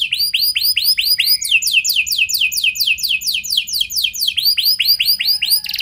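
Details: Lure song of a canary in the ornate 'cengkok mewah' style, used to prompt other canaries to sing. Looping upswept whistles lead into a rapid tour of descending notes, then return to the rising whistles.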